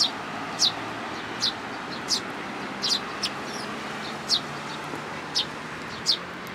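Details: Young sparrow visiting a plum tree at a Tenmangu shrine in June 2022 to be fed, giving bright, high chirps that drop in pitch, about eight spaced irregularly, over a noisier background with low rumble.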